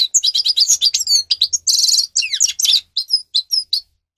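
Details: Grey-crowned goldfinch singing, offered as a model song for captive birds. A tumbling string of sharp high chirps and twitters with one long buzzy rasp midway, then slower, spaced single tinkling notes toward the end.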